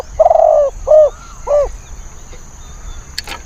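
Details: Spotted dove used as a decoy to lure wild birds, said to be fierce with a small, thin voice: one long hoarse coo followed by two shorter rounded notes, then quiet with a brief click.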